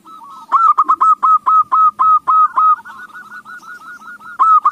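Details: Zebra dove singing to lure others into song: soft rolling notes break into a long, loud series of clipped coos about four per second, easing into a softer even run, then a loud note again.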